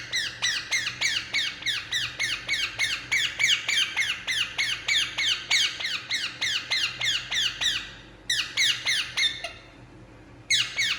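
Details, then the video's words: Relaxed Indian ringneck parakeet squawking in a long rapid run of harsh falling notes, about three per second, then a pause and a final burst; quiet room setting. "Indian Ringneck Parakeet Relaxing And Making Sound"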